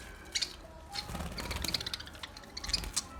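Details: Budgerigar, presented as a talking parrot, giving scattered high-pitched chirps and short warbled notes in quick irregular bursts over low background rumble, no clear words.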